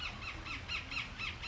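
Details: A Rose-ringed parakeet at a farm reserve in Al-Mikhwah, Al-Baha region, Saudi Arabia, gives quick, harsh, arched squawks repeated several times a second.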